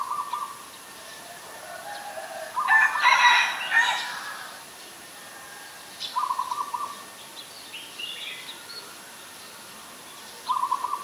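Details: In Ubon Ratchathani, Thailand, on 20 October 2021, an Ashy Woodswallow gives short, rapid, nasal pulsed phrases repeated about every four to five seconds, plus one loud, harsh, rasping chatter; other birds chirp faintly in the background.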